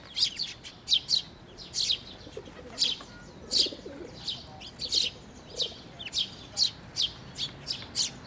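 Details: On 11 May 2024, sparrows and fledglings fly to a bridge over water at a shrine to be fed; a busy stream of high, clipped chirps from several birds, near twenty in eight seconds, with faint low sounds.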